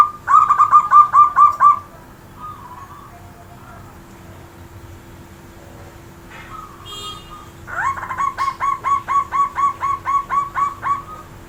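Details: Zebra dove giving a loud, powerful cooing song: a rapid run of about eight clipped, evenly spaced coos, a quiet gap, then a second run of a dozen similar coos from eight seconds on, over a steady low hum.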